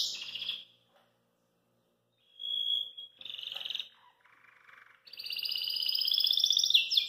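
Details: Belgian canary singing after eating kale, hopping outside its cage: short bright phrases separated by silences, a high buzzy trill, a lower rattling segment, then a long sustained high rolling trill.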